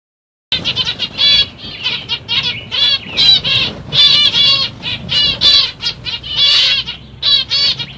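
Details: Pastel-mutation black-cheeked zebra finches chatter in quick bursts of nasal, buzzy notes, with several birds overlapping in rapid toy-trumpet beeps and short harmonic stutters.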